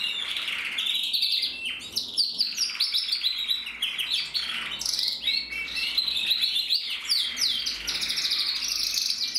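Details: Red-black crested male canary, bred in 2024, singing a continuous, rapid song of high trills, quick chirped notes and buzzy rolling phrases that barely pause over nine seconds.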